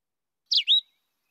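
A Philadelphia Vireo gives one short burbled song phrase, dropping and then rising in a clear, high two-part slur; otherwise quiet.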